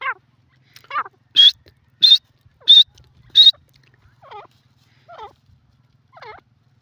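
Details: Female francolin (teetar, yellow partridge) giving four loud, sharp, high notes spaced under a second apart. Softer, lower, wavering downslurred notes follow at wider gaps, over a faint low hum.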